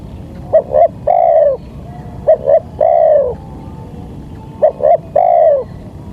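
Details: Spotted dove lure calls meant to bring in wild doves; three phrases, each a pair of brief notes followed by a long mellow coo that slides slightly downward, spaced about two seconds apart.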